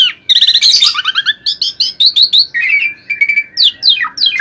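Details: Asian pied starling in energetic gacor song, used as masteran tutor audio: rapid chattering bursts, then clear whistled notes slurring down and a steady high whistle, with sharp descending whistles near the end.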